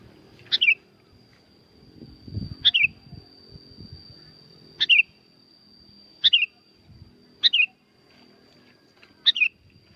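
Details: Sooty-headed bulbul at Curug Agung, West Java, Indonesia, giving a lure song: six crisp chirpy phrases spaced about every one to two seconds, over a steady high faint tone and low rumble.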